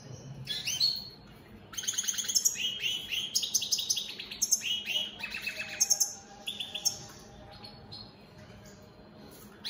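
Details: Opal split satiné mutation European goldfinch singing a lively continuous stretch of rapid twittering, ringing metallic notes and quick buzzy trills, fading into quieter pauses toward the end.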